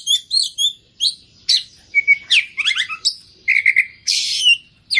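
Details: Energetic oriental magpie-robin song, a mix of high chirps, downslurred whistles, short rattling trills and a harsh buzzy phrase, delivered in quick separated bursts, close and clear.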